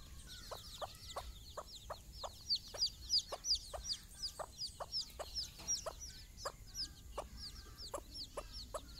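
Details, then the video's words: Mother hen, caring for her own chicks for the first time, calls them for a morning walk on their first trip outside: steady low clucks about three per second, under a constant chorus of high, falling chick peeps. "mothers hen call her babys for morning walk"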